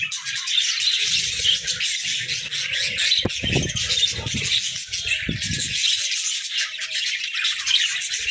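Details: Pet budgies at play inside their hut keep up a steady, busy chatter of twittering and squeaky warbles, while intermittent low knocking and rattling sounds, strongest in the middle, come from activity in the enclosure.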